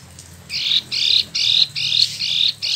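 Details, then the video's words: Freshly moulted caged Spot-throated babbler from China or Vietnam, kept a year in Bandung, Indonesia, giving five harsh buzzy bursts in a row, each about a third of a second long, with short gaps between them. "Wambi Mini / Tieu Mi (Pellorneum albiventre) ngeroll"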